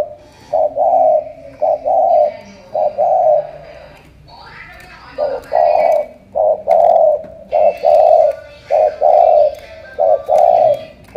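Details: Spotted dove of Cà Mau, Vietnam, delivering a long run of paired coos, a clipped note then a held one, with a short pause of faint noise midway before the cooing resumes.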